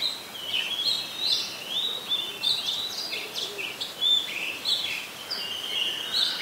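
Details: Rich, steady song of an Oriental magpie-robin in Ubon Ratchathani, Thailand, 17 July 2021: many varied whistled notes and warbled slurs in quick succession, with a soft background hiss.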